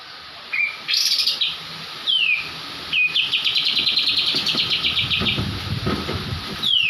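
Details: Training song of a Javan kapas tembak white-eye in 'ngebrem' style: a few high whistled slurs and down-slurred notes, then a sustained buzzy pulsing trill lasting roughly three seconds, with a faint low hum behind.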